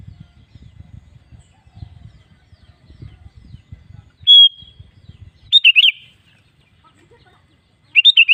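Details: Sooty-headed bulbul song used as a lure for caged birds: after low rumbling handling noise, one thin steady whistle, then two short bursts of quick bubbly warbled notes near the end.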